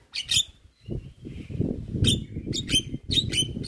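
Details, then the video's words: Javan myna in a training master recording: short bursts of squeaky, chattering high notes over a constant low rumbling background noise. "Suara Masteran Jalak Kebo Gacor Full isian"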